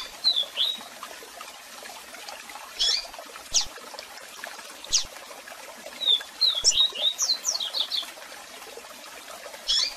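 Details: Double-collared seedeater singing a strong song with calls over a waterfall sound for song training: isolated sharp high chips, then a rapid string of twisting, descending whistled notes, all over continuous cascading water.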